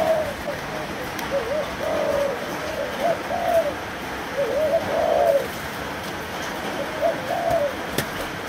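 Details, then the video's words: Spotted dove, Malaysian type, aged three months, delivering a run of low mellow coos in uneven phrases, some notes drawn out and wavering, over a soft hissing background with occasional faint clicks. "Cu Gáy Malaysia 3 Tháng Tuổi"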